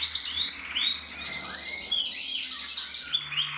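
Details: Canary cock in song, 2024: quick sequences of upswept chirps run into dense, fast rolling trills that hold without a break.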